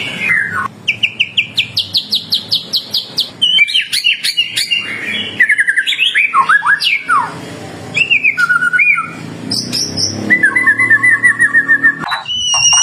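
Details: White-rumped shama singing vigorously as a lure to make other shamas reply. The song opens with a fast series of repeated sharp notes, then shifts to swooping whistles, slurred phrases and short high trills.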